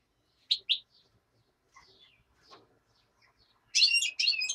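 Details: Black-headed goldfinch during daytime singing, a common nightingale reportedly singing in the background; two sharp twittering notes early, then a quiet gap with faint chirps, and a closing burst of bright, buzzy twittered phrases.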